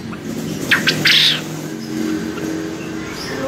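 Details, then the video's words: Male quail bred for contests giving a ceketer call: two quick clicks followed by a harsh rasping burst, then low background hum. "SUARA GRANDONG, PUYUH JANTAN JUARA CEKETERNYA MANTAP"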